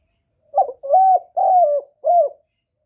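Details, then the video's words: A decoy spotted dove cooing in contest with a wild dove, one clean phrase: a brief low opening note, then three rich, drawn-out coos with slight downward endings. "Tiếng cu mồi lỡ gù đấu bổi"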